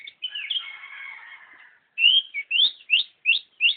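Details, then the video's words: Long-tailed shrike in full song. A long, harsh, buzzy note is followed by a quick series of five or six loud, rising, whistled chirps. "Burung pentet Super nggacor"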